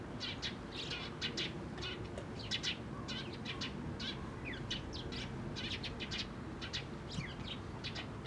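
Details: Eurasian tree sparrows, 4 February 2012: irregular bursts of short, high chirps, sometimes in quick pairs or triplets, over a steady low rumble of background noise.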